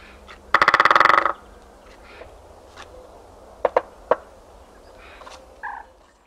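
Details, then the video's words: Winter drumming by a great spotted woodpecker in open countryside on 13 February 2018: one fast, even roll of roughly fifteen strikes, followed by a few isolated single taps and brief distant calls. "PIC Épeiche/Tambourinage/Hiver !"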